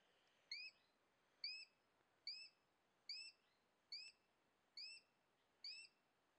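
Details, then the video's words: A Sharp-shinned hawk in forest at 2450 m near Génova, Quindío, gives seven high, thin, slightly rising squealing notes, about one per second, over a faint background hiss. "Accipiter striatus"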